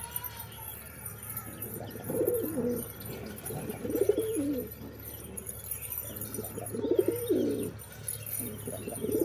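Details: Several pigeons give deep, bubbling coos in repeated phrases about every two seconds, each a rolling low warble that rises and falls, with a faint steady hum underneath.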